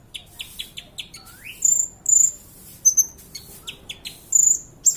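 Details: Kolibri ninja sunbird singing as a tutor recording for training other birds: a run of short high chips, one rising slurred whistle, then piercing high whistled notes given singly at roughly half-second gaps.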